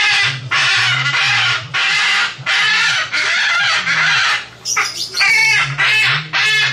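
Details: Parrot calling loudly and almost nonstop: a run of harsh, grating screeches about half a second to a second each, then shorter, choppier squawks, a low droning hum underneath.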